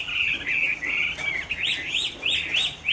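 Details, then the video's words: Chinese hwamei, a caged bird offered for keeping in Hai Phong, Vietnam, singing on a rainy afternoon: loud whistled phrases, then a run of quick rising-falling notes repeated about twice a second. "Họa mi hót chiều mưa"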